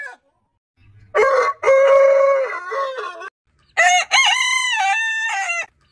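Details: Two cock-a-doodle-doo crows from a compilation of heritage chicken breeds. Each starts with a short clipped syllable, then a long sustained ringing note falling at the end. Silence between them.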